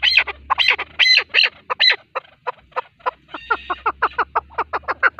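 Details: Male chukar partridge call used for hunting: loud, hoarse chuckling notes, first in uneven clusters, then speeding into a fast, regular series of short chucks.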